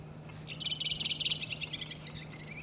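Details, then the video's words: Redwing singing in Iceland in April, where it was the commonest bird: a rapid series of high, bright chirping notes around 0.5 to 1.4 seconds, followed by thinner twittering phrases, over a steady low hum. "Rotdrossel singt"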